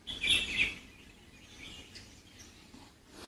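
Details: An Indian pitta gives one short, loud burst of high whistled notes at the start. The calls come from a second pitta in the background, not the perched bird. Fainter bird calls and light outdoor noise follow.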